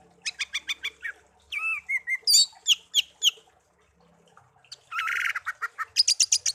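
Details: Tame pet songbird, taken from a garden, raised from young until it learned to sing and kept for one year, delivers a varied song: rapid bursts of sharp repeated chips, slurred whistles, and buzzy trills mixed with high twittering.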